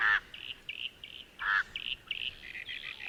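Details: Somali crow calling: two loud, harsh, nasal caws, one at the start and one midway, with a run of shorter, higher, clipped notes between and after them against a quiet background.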